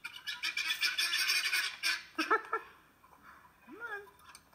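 Guineafowl give a fast run of harsh, grating squawks, then a few lower, rising honking notes.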